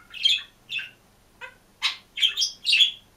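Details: Green pet budgerigar alone in a cage, singing and chirping: a short burst of raspy, squeaky notes and scratchy chirps in quick succession, some falling in pitch, in a quiet indoor room.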